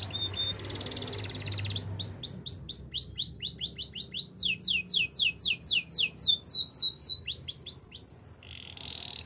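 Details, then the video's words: Canary performing Spanish Timbrado training song: a soft buzz and hum at first, then long runs of rapid downslurred whistled notes at changing pitches, ending in a buzzy roll. "Canary spanish timbrado song for training"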